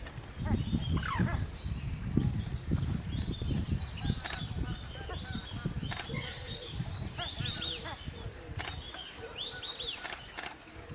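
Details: Australian wood duck at WWT Slimbridge giving drawn-out, nasal mewing calls that bend up and down in pitch, repeated several times over a steady low rumble of wind and a few sharp clicks.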